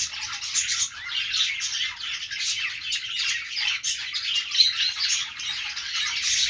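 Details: Parakeet chirping from budgerigars: fast, scratchy twittering and short squawky notes run together continuously, rising and falling in intensity throughout.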